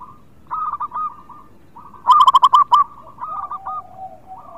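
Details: Zebra dove of local stock in lively song, played as a lure for birds that are not singing: soft rolling coos, then a loud, fast burst of staccato cooing notes, followed by fainter coos from other doves.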